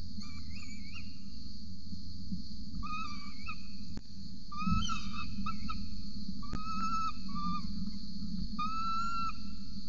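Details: At a peregrine falcon nest in Orange, Australia, on a November morning while an adult feeds its chick, repeated high, wavering whining whistles come in short bouts, with sharp clicks and a steady background drone.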